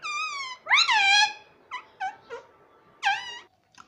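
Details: Talking ring-necked parrot kept as a pet, saying "mummy": a long falling squawk-like word, then a rising-falling syllable, followed by three short clipped notes and a final arched phrase.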